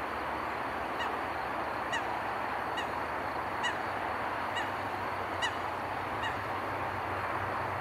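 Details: Eurasian coots on a pond: short, sharp calls repeated about every 0.9 seconds, seven in all, over a steady, even background hiss.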